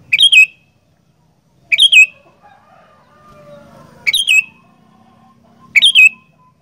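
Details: Sooty-headed bulbul, a caged fighter bird in Indonesia, giving loud repeated song phrases roughly every two seconds, each a bright burst sliding down into a buzzy tail, with faint low background hum between phrases.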